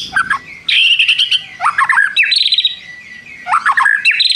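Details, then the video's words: White-rumped shama in full song, its song filled with mimicked prinia phrases and long trills: loud varied whistles, sliding notes and rapid chattering runs in quick succession. "MURAI BATU GACOR ISIAN nembak prenjak tirrr panjang2"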